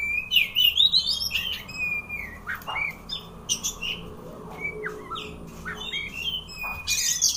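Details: White-rumped shama (kacer) showing its tail while singing: loud whistled phrases rising from about mid to high pitch, rapid varied notes and sharp chips, with a busy, fast-changing delivery and faint background hum.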